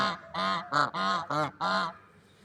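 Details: Pair of swans outdoors trading five nasal, trumpet-like honks in close succession, each lasting about a quarter second, with a faint background hiss.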